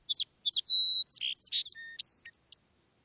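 A Song Sparrow sings: a few sharp opening notes and a long high whistle, then a burst of buzzy, jumbled trills, all in under three seconds.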